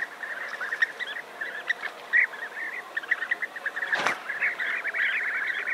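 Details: European bee-eaters calling as a large colony near Navalcan, New Castile, Spain; many short rolling, liquid notes overlap in a busy chorus, broken by one brief loud rustling thump midway.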